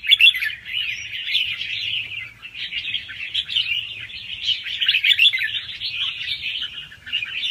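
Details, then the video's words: Young wild red-whiskered bulbul, soft-headed fast-round song with a doubled trick, used to excite other birds: a long unbroken stream of quick chirps and warbled twitters at steady loudness. "ลูกนกกรงหัวจุกป่าคัดหัวปากเบาๆ รอบเร็ว มีลักเบิ้ล ใว้เปิดกระตุ้นนกฟังนกคึก"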